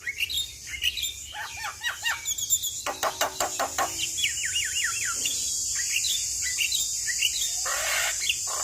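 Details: Stressed, excited Javan myna in full, active song, in a recording meant for prompting other birds. Choppy chirps and rasping bursts give way to a rapidly looping, wavy whistle, then scratchy notes against constant high hiss.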